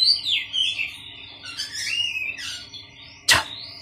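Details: Oriental magpie-robin kept in a colony with other birds so it grows calmer and sings sooner. It gives a varied run of clear whistled, sliding notes. A sharp loud click comes near the end.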